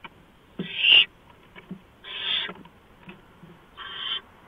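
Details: Barn owl at the nest before dawn on 6 March 2015 while a mouse is delivered; three separate rasping, hissy screeches about half a second long, spaced roughly 1.5 seconds apart, over a quiet background.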